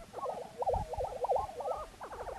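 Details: Male Lesser Prairie-Chickens on a spring lek near Milnesand, New Mexico, in pitch darkness early morning, give hollow, wavering, bubbling notes in quick overlapping runs to attract hens, over a faint low rumble.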